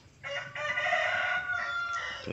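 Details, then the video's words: Crowing hen, a female chicken: one sustained, steady, nasal crow of about two seconds with a slight falling end, over low background noise. "ayam betina berkokok"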